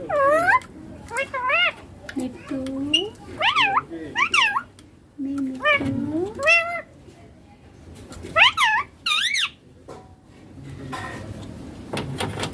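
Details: Indian ringneck parakeet, a green pet parrot, talking and saying papa and mummy: several loud harmonic rising-and-falling syllables in short bursts, with quiet room noise between them.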